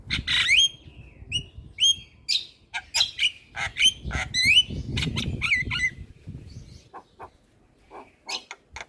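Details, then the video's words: Javan myna singing nonstop: rising whistled squeaks with harsh noisy bursts, a chattering run, then quieter scattered clicks. "Jalak kebo Super Cerewet Tak henti Bunyi Bikin Burung Lain Ikut Gacor"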